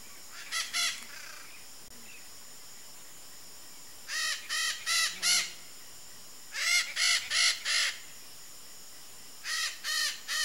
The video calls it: CANTO da MARACANÃ-PEQUENA (DIOPSITTACA NOBILIS), RED-SHOULDERED MACAW